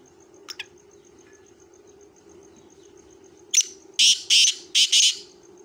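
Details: Black francolin (kala teetar) calling: after a faint double note, a harsh, buzzy phrase of five rasping notes in quick succession, with a steady low hum in the background.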